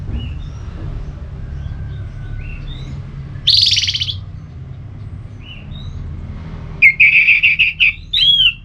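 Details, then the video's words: Orange-headed thrush, ngeplong song to stimulate other birds: faint scattered chirps, a short harsh buzzy burst, then a fast run of bright repeated whistled notes and a closing rising whistle, over low rumble. "ANIS MERAH LOYO Bakal SONTAK NYAUT GACOR dan EMOSI dengar Kicauan Ngeplong ini"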